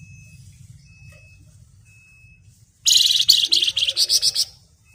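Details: Flamboyan bird, chatty and singing 'ngebren' style, dense and piercing: near-silence for almost three seconds, then a loud burst of high, rasping, fast-pulsed chatter lasting about a second and a half, ending in a row of quick separate notes.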